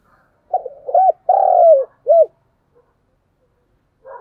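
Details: Spotted dove used as a lure bird, calling to provoke wild doves: a low, hollow cooing phrase of four notes, a short coo, an arched coo, a long drawn coo falling at the end, then a final arched note.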